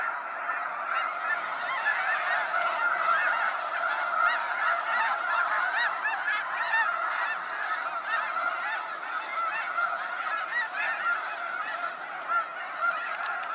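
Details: A huge flock of snow geese at Sacramento National Wildlife Refuge during the sunset fly-out, honking in a thick wall of overlapping yelps, about two calls a second standing out irregularly, with faint sharp ticks scattered through.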